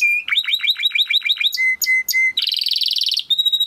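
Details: Timbrado canary training song: fast rolling trills of repeated downswept notes, then clear steady whistled tones and a dense buzzy rattle, ending on a bright sustained note.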